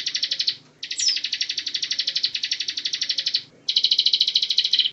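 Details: Bar-winged prinia (ciblek) singing actively as a tutor recording for other songbirds: three long bursts of fast, rattling high notes separated by short breaks, with a soft low hum behind.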